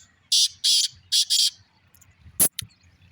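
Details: Black francolin uttering four harsh, scratchy notes in two quick pairs, followed by a couple of sharp clicks and faint low noise.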